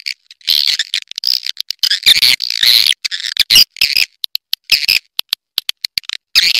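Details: Swiftlet calls played to attract swiftlets: rapid bursts of high, buzzy chirps and dry clicks, packed irregularly, some notes overlapping in dense twittering clusters.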